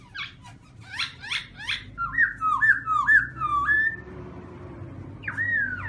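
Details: Caged black-throated laughingthrush singing very loudly: a run of harsh rising notes, then a series of rich whistled phrases near the same pitch repeated about twice a second, ending with a lone slurred whistle.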